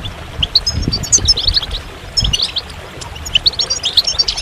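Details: Goldfinch song delivered in looser bursts: short clusters of thin, high twittering notes separated by brief gaps, over a soft low rumble.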